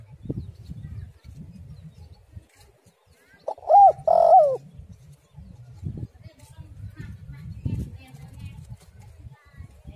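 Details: Spotted dove female lure call, a single brief pair of coos, the second longer and wavering, heard over steady low rumbling background noise that fills the rest of the recording.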